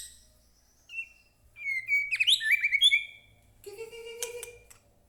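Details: White-rumped shama, used to provoke captive birds into song: high thin whistles leading into a bright, fluid warbling phrase, followed by a lower buzzy note and scratchy chatter.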